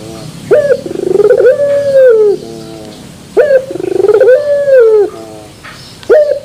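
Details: Puter pelung turtle dove delivering terasan bermetal song twice: a clipped high note, then a stuttering pulse series merging into a drawn-out steady coo with a falling end, softer low coos in the gaps.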